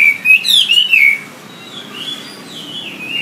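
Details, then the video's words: Wambi used as a tutor for songbirds, singing a few loud sliding whistles, then softer, more distant whistled phrases that fade under low hiss. "Suara WAMBI untuk masteran burung kicau anda"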